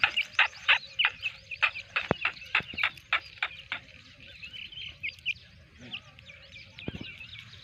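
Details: Four-day-old black francolin chicks accompanied by a pair of adults, giving rapid high peeps about three per second, loud at first, then softer scattered chirps with a few sharp clicks.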